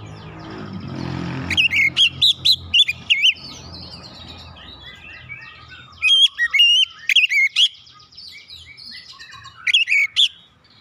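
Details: Oriental magpie-robin singing to stir other birds into song, with bursts of loud, varied whistled phrases and sharp notes separated by pauses; low rumbling background noise at the start.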